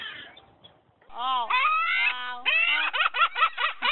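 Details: Gulls, with cormorants also present, laughing loudly and merrily: long wailing cries, then a rapid series of short, sharply bent laughing notes repeated several times a second.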